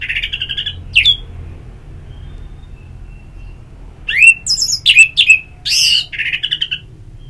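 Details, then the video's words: Orange-headed thrush (Geokichla citrina), a kept songbird in Bali, sings in bursts: a long rich warbled phrase, a pause, then a run of bright rising whistles and sweet varied notes. "Terapi Ngeplong Untuk ANIS MERAH"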